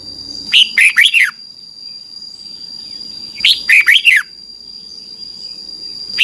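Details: Red-whiskered bulbul song, played each morning to teach young caged birds to sing: two bursts of quick, bright rising-and-falling whistled notes, about four notes each, separated by a short pause, over a steady faint high hum.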